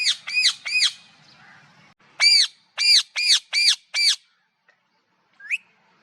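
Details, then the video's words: Harsh, ringing parrot squawks: a quick burst of three, a short pause, then a run of five evenly spaced screeches, ending with a thin rising note. "Parrot natural live voices"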